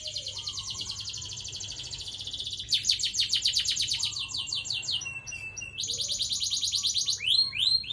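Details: Canary singing a long rolled song: rapid buzzy trills repeated in fast bursts, switching between several trill types and pitches, with brief lower whistled notes between phrases.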